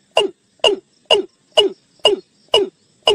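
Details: Watercock calling the flock, as used for luring into a net: a quick, fairly regular run of seven ringing clucks, roughly two each second, each with a bright high overtone over a falling lower tone.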